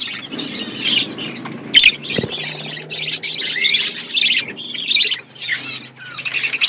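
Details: Outdoor-aviary budgerigars giving a steady stream of high, scratchy warbles and chirps, many birds overlapping, with a sharp click near the two-second mark.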